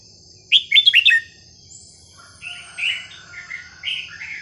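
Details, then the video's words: Red-whiskered bulbul song, sweetly phrased and varied, recorded to train young birds: a loud rapid cluster of five ringing whistled notes opens, followed after a pause by softer, mellow warbled phrases. "นกกรงหัวจุกสำนวนเพราะๆ ร้อง เพลงไม่ซ้ำกัน"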